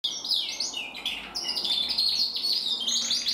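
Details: Male red mosaic agate canary, bred in 2024, singing a lively high-pitched song of rapid, varied trills and sweeping chirps, delivered almost without pause.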